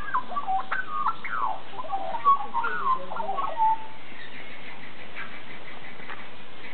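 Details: A bird at Zoo Berlin whose call is likened to an old 28k modem: a rapid run of varied whistled notes sliding up and down, with abrupt jumps in pitch, over steady background hum, fading after about four seconds.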